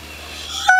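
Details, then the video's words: A male Indian peafowl, a pet named Elvis, displays his feathers to a toy stuffed rabbit, then lunges forward with a feather shimmy in a "hoot-dash": after a quiet stretch, a sudden loud honking hoot, a steady nasal note rich in overtones. "Peacock Hoot-Dash"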